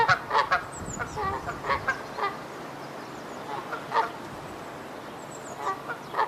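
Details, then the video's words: Canada goose honks in an irregular series of nasal, mid-pitched calls, some doubled, over a steady background hiss. "SOUND OF A CANADA GOOSE 🔊 What does a canada goose sound"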